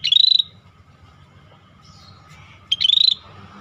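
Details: Two clean, sweet whistled phrases from an energetically singing scaly-breasted bulbul, each rising smoothly and lasting under half a second, separated by a pause of over two seconds with a faint low hum.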